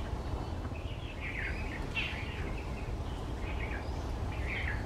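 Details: A white-browed bulbul eating berries in banyan and neem trees at the start of the monsoon gives scattered short, scratchy chattering notes in several bursts, with constant low traffic-like hum underneath.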